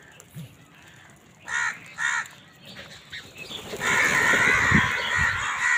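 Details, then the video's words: Amid a scramble for food, crows give two short harsh caws, then a burst of overlapping raucous calling and squawks that builds into continuous noisy chatter. "Crow Fight for Food - Crow Sound part 98 কাকের ডাক"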